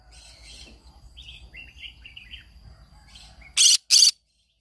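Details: Morning vocalizing of a pet green-cheeked conure: quiet, high twittering chirps and short warbled notes, ending in two loud, harsh back-to-back screeches.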